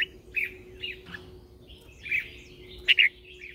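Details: Caged red-whiskered bulbul used as a lure bird in morning song training, delivering short slurred whistles and a loud bright double note near the end, against a steady background hum.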